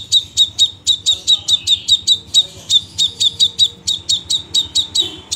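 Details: Crimson sunbird's dense 'tembakan rapet' song: an unbroken stream of high, sharp, clicking chirps, roughly four each second, steady and insistent throughout.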